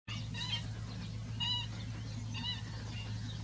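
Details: Spotted crake giving short whistled notes repeated roughly once a second, each note with bright overtones, over a steady low hum.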